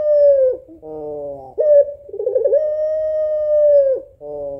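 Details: A female puter pelung African collared dove calls to the male. A falling coo and a coarse, buzzing note lead into a wavering stretch, then a long, even coo of over two seconds, ending on another buzzy note.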